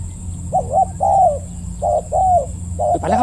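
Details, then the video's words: Spotted dove cooing during decoy-bird trapping in the late afternoon, in the deep 'ku-ang' voice style. Paired, mellow coos repeat with short gaps. A man's voice and a sharp rustle break in at the very end. "ต่อนกเขาใหญ่ เจ้าทีเด็ดสายล่า จัดเสียงใหญ่ คูอ่างให้อีกแล้ว"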